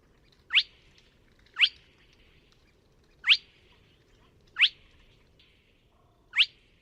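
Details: Spotted crake (Porzana porzana) at Neda, A Coruña, on 24 March 2017, giving five sharp, rising whiplash 'whitt' notes about one to two seconds apart, over a faint low background hiss.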